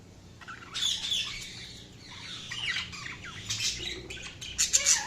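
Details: Budgerigars chirping: a busy jumble of high warbled chirps, squeaky notes and scratchy chatter from more than one bird, growing livelier toward the end, over a low background hum.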